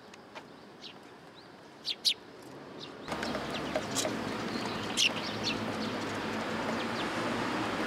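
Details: Morning sparrows coming to be fed at a Tenmangu shrine, 27 September 2022; scattered bright chirps, a quick pair near two seconds, then louder rushing background noise with a few further chirps.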